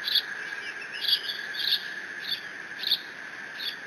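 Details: Eaglet bald eagle at the Decorah nest, June 30, 2017, mantling its father's fish delivery with no siblings present and squeeing: brief high-pitched chirping squeals, about six spaced unevenly, above a constant buzzing background on a nest camera.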